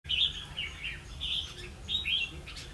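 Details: Red-whiskered bulbul at a trapping site in Vietnam, 16 October 2016, used as a decoy to lure wild birds; bright warbled phrases in short bursts with brief pauses between them, over a low steady hum.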